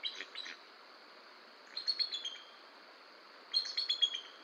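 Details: Wild bald eagles at a Decorah nest, filmed by nest camera in the early morning of 18 August 2022 while the adult male worked on the nest. High, thin chittering bursts come in three clusters about two seconds apart over quiet background hiss.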